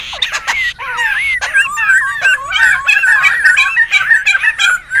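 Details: Laughingthrushes in the wild, loud and noisy, for luring and tutoring: sharp clicks at first, then wavy whistled phrases and warbles from several birds, overlapping and rising and falling in quick succession.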